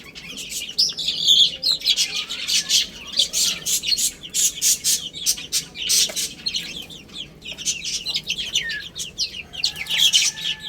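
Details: Baby chicks feed and play, their shrill peeps partly buried under dense, raspy pecking and scratching sounds that come in rapid bursts.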